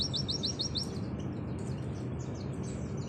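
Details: Oriental white-eye of the Auri type opens with six quick high chips, followed by faint scattered twitters against a constant low rumbling background.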